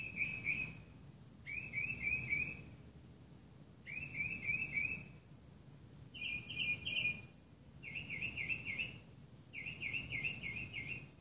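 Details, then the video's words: Northern mockingbird heard at sunrise at a Burbank, California house, 1 July 2016: six phrases of quick repeated chirping notes, each phrase different in pattern, separated by pauses of about a second. "Mockingbird alarm clock"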